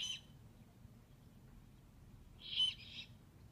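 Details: Owlets calling on 2/11/15: a brief harsh hissing screech at the start, then after a pause a longer raspy, breathy screech of about half a second, over quiet low background rumble.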